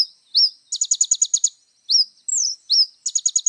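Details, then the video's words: Little spiderhunter singing energetically with a full, varied repertoire, recorded for tutoring young birds: high thin rising whistles alternating with rapid bursts of sharp ticking notes, about eight per burst, in silence. "SUARA BURUNG KOLIBRI NINJA GACOR FULL ISIAN MEWAH"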